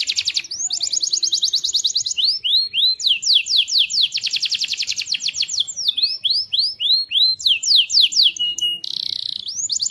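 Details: Canary singing continuously, a lure recording for prompting young and other canaries to sing; rapid repeated trills alternate with series of rising whistled sweeps and a short buzzy phrase near the end.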